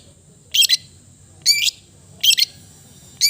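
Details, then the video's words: Cendet, or long-tailed shrike, uttering four rasping doubled notes, each a quick harsh burst, separated by pauses of nearly a second, against a quiet background hum. "the melodious sound of the cendet bird"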